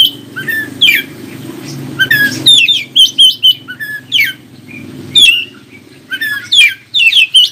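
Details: Oriental magpie-robin song played to get other magpie-robins answering: steady stream of clear falling whistles and short rich phrases over a low humming background, with brief gaps between notes.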